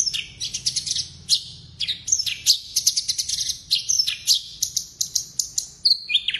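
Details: Javan bush lark, blorok variety, pouring out a busy song packed with inserted phrases: jumbled high chattering, sharp clicks and short whistles, ending in a couple of falling slurs.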